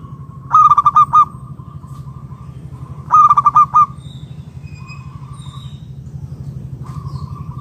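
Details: Local zebra dove (perkutut) used as a lure to get other doves calling: two bursts of fast, staccato, clear cooing notes about two and a half seconds apart, over a steady low hum and a constant tone.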